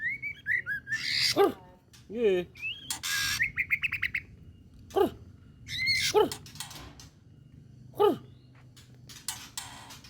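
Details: White-rumped shama singing in the trotolan style with full emotion: high whistled notes and trills mixed with sharp, harsh bursts and downward-sweeping squawks, over a steady low hum.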